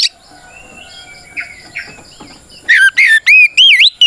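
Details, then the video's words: Oriental magpie-robin belting out a fighting song meant to challenge rivals and stir other magpie-robins to answer. Faint distant whistles and a steady hum come first, then about six loud, sweeping, looping whistles arrive in quick succession. "Suara Burung kacer gacor NGEPLONG tarung"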